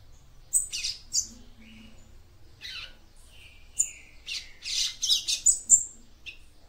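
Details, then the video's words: Female papa-capim seedeater singing to stimulate the male: a sequence of high chirps and buzzy notes that quickens into clustered squeaky twitters. A faint low hum is in the background. "CANTO DE FÊMEA PAPA CAPIM PARA ESQUENTAR SEU MACHO"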